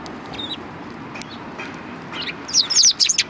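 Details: Sparrows greeting a visitor at the back entrance of a Tenmangu shrine on 25 February 2020; a few faint notes, then a burst of bright, high, quick chirps near the end.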